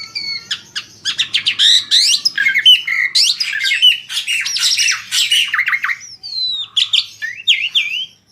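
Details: Energetic Asian pied starling singing to lure other birds into song, with rapid harsh chatter, squawky buzzes and wavering whistled slurs, ending in a few clean rising whistles.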